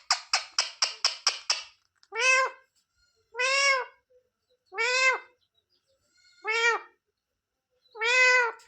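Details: Talking pet parrot (mitthu) saying "mummy papa": a rapid burst of seven short clipped notes, followed by five drawn, nasal, voice-like syllables spaced about one and a half seconds apart.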